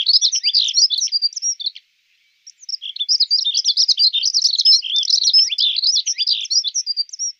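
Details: Dunnock giving rapid, scratchy high warbles: a hurried jingle of tinkling notes, a brief pause, then a longer, unbroken tumbling phrase of squeaky, rising and falling notes in quiet surroundings.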